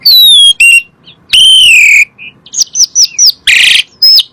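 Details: Asian pied starling song used as a lure for other birds: long loud falling whistles, a strident slurred note, a string of short looping whistles and a harsh buzzy burst.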